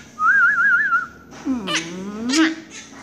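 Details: Pet Quaker parakeet calling for its owner, "mommy": a clear wavering whistle held for about a second, then a rough, throaty, voice-like sweep that dips and rises again.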